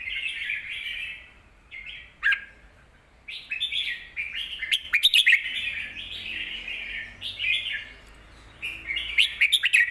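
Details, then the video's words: Caged red-whiskered bulbul singing a song for teaching young birds. Varied warbled phrases come in bursts with pauses, punctuated by several sharp, bright chirps, the loudest near the middle and the end. "นกเสียงทอง วางเพลงใต้เสียงโตๆ(ไว้สอนลูกนก)"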